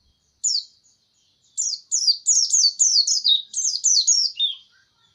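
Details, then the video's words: A lone high chirp from a white-eye, a pause, then an accelerating string of sharp descending notes that drop slightly lower at the end. "Video Burung Pleci"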